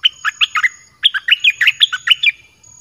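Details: Caged red-whiskered bulbul singing varied song phrases, played to lure wild birds. Two bursts of quick, liquid whistled notes, rising and falling, split by a brief pause near one second. A faint steady high tone runs behind.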